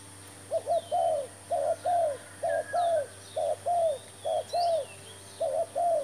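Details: Decoy spotted dove used for trapping, cooing steadily in a rhythmic run of paired notes: a short clipped coo followed by a longer, slightly falling one, repeated about once per second, with faint bird chirps behind.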